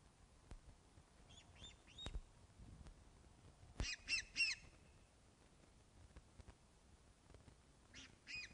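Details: Osprey at the Loch of the Lowes nest, webcam recording from 21 August 2012, 16:35, fish delivery. A few soft whistles are followed by a harsh, rapid, strongly harmonic burst of calls and later a brief harsh call, with clicks.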